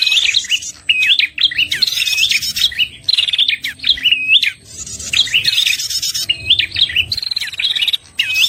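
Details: Red-headed prinia lure for trapping: repeated bouts of shrill, flicking chirps and raspy rattles, each about a second long with short breaks, over a faint hum.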